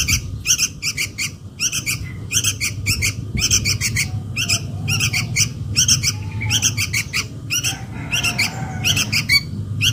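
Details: Sooty-headed bulbul chick calling its mother as a lure sound: long series of harsh squawky chirps in groups of two to four, with faint lower whistles from another bird in the background.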